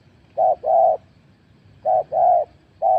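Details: Spotted dove decoy bird cooing: two soft, low phrases, each a short note followed by a longer, drawn-out coo, separated by a quiet gap, with light background hum.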